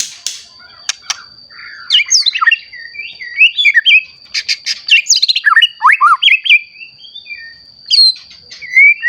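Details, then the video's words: White-rumped shama, recently matured, in loud varied song used to stir other shamas to sing; fast sequences of sharp chips, swooping whistles and rich warbled notes, with a constant high electronic tone. "Murai Batu Gacor Ampuh Untuk Pancingan Murai Batu Agar Bunyi Langsung Emosi"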